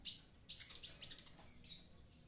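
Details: Short, loud passage of Javan pied starling song: one high chirp, then a bright downslurred whistle and two fading sliding notes.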